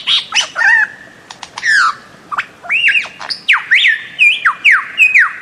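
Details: Calls of a bird-of-paradise: loud arched and down-slurred whistles given in a quick irregular series, nearly one per second, over a steady high buzz and scattered chirps from other forest birds.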